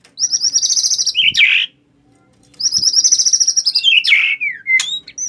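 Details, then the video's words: White-rumped shama singing as a challenge to fight: two long, pulsed, buzzy rattles at high pitch, each ending in lower whistled slurs, separated by a short pause. "Ngajak Tarung Ni Burung"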